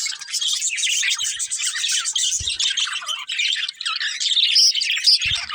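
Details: Colourful budgies, a breeding pair, sing a continuous high, gritty warble full of rapid chirps and a few sharp whistled notes, with faint taps below.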